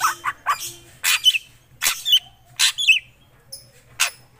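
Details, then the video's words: Black drongo singing in full voice: harsh, scratchy broadband notes in short bursts, with a few brief whistled slurs, given in irregular groups of two or three, over a faint low hum. "Srigunting krantil gacor"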